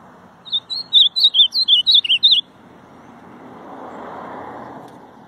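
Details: Ultramarine grosbeak singing one quick phrase of about ten sweet, slurred whistled notes, each bending up and down, delivered in under two seconds, followed by a low rumble like a passing vehicle.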